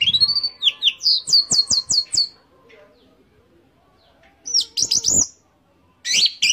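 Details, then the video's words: Orange-headed thrush teler song: a rising whistle leads into a string of rapid falling notes; after a lull with faint talking, short whistled bursts return. "Anis Merah Teler"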